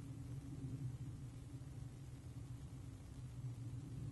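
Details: A steady low rumble like distant traffic or an engine fills the recording; no animal sound is heard.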